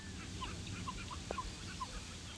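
A pied-billed grebe gives four short, hollow, mid-pitched notes about half a second apart over a low background rumble, with one sharp click.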